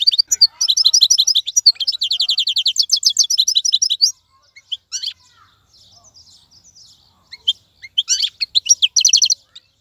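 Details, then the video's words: Caged European goldfinch of wild origin sings four seconds of rapid, regular rattling trills and twitters, then scattered single chips, a quiet lull, and a final twittering burst. "مقنين خلوي يغرد بصوته النظيف, تغريد حسون بري دون توقف"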